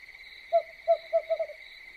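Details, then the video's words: Owl at night uttering five brief, low hoots in quick succession, the last two nearly running together, while crickets trill continuously at a high pitch. "Suara burung hantu yang menyeramkan"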